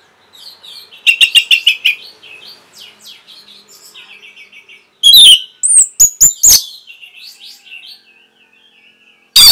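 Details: Orange-headed thrush masteran for caged birds: a run of rapid repeated sharp chips, softer warbled twitters, then loud very high whistles and sharp downstrokes, ending on a sudden high burst.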